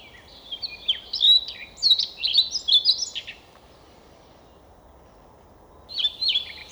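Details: Siberian rubythroat singing near Novosibirsk, Siberia, Russia: a burst of varied high whistled and scratchy warbling phrases for about three seconds, a pause, then another short phrase begins; faint low background hiss.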